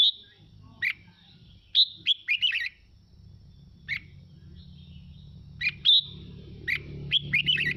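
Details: Song of a red-whiskered bulbul meant to excite listening birds into song: scattered bright whistles and jumbled warbling phrases in bursts, with a steady low hum building toward the end.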